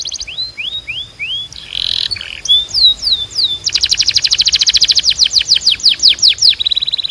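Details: Belgian canary singing a varied song: a run of rising whistled slurs, brief buzzy notes, then a long rapid trill of repeated sweeping notes followed by a fast high rattle.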